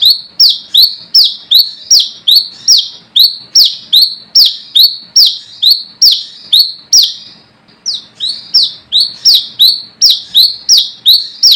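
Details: Brown-throated sunbird in wild-style rival call, used as a lure: long energetic sequence of shrill high chirps, each dropping into a buzzy tail, with a short break partway through.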